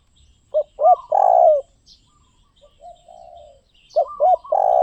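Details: Spotted dove cooing: low, hollow phrase of two short coos followed by a long drawn-out coo, a softer lower coo in between, then the phrase repeats; quiet background.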